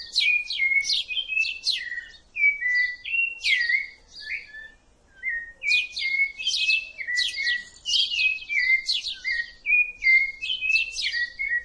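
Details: Song of a rufous-bellied thrush, a bird identified by its rust-coloured breast: a flowing run of melodious whistled phrases mixing high sharp notes with lower sliding whistles, with one brief pause midway.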